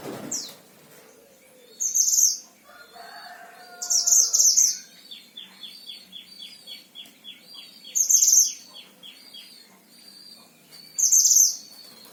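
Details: Oriental white-eye, Himalayan type, kept caged in Sragen, Central Java, Indonesia, uttering bright high twittering bursts roughly every two seconds, with a fast buzzy trill of repeated notes running between them.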